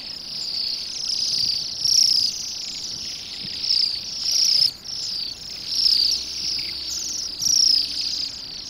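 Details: Flock of Bohemian waxwings feeding on rowan berries in a roadside yard in Pushkin, Saint Petersburg, Russia, on an overcast December day; overlapping high ringing trills pulse in louder bursts roughly every one to two seconds over a steady twittering background.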